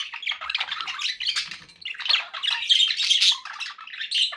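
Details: Pet budgerigars chattering without pause, a thick mix of raspy squawks, buzzes and high chirps from several birds swelling and easing.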